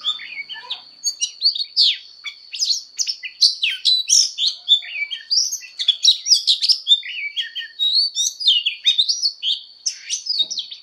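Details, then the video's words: Energetic fighting song of an Oriental magpie-robin under voice training. Dense series of chirps, trills and bright whistles, strongly varied and nearly nonstop, over a steady high background tone. "Choè than hót đấu/Choè than hót luyện giọng căng lửa/Choè than hót"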